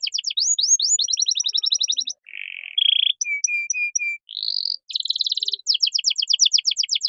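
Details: Gacor canary song, cengkok mewah style, played to train birds such as magpie-robins: rising sweeps, a rapid trill, a harsh buzz, evenly spaced flat whistles, an upward glide, a dense roll and a closing fast trill.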